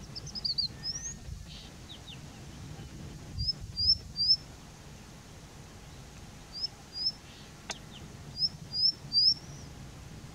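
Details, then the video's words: Indian bushlark singing from a rock: short, thin, high chirps in quick clusters of two or three, repeated every few seconds over a soft rural hiss. "Indian Bushlark singing"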